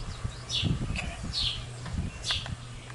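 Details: Barn swallow (Hirundo rustica) fledglings at Tall Grass Prairie Preserve near Pawhuska, Oklahoma, 1 July 2018, giving short, high chirps about one per second over low thumping and a steady low hum.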